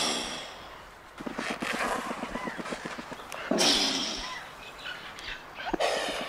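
Andean condor giving a rattling run of rapid grunting pulses, then two sharp breathy hisses a couple of seconds apart, with faint outdoor background noise.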